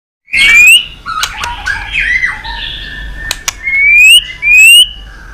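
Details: White-rumped shama in competitive singing, used to provoke rivals: clear rising whistles sweeping upward, separated by sharp clicks and short chattering notes, ending with two more bright upslurred whistles.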